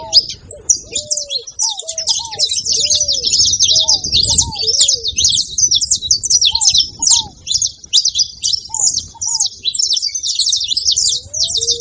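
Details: Saffron finch in nearly nonstop high, harsh twittering chatter. Brief lower hooked whistles are scattered throughout, over a steady low background rumble.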